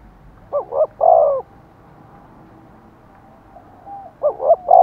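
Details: Spotted dove used as a decoy to provoke wild doves into cooing back: two short bursts of hollow, throaty coos, then a long pause and another pair of coos at the end, with no other clear sounds.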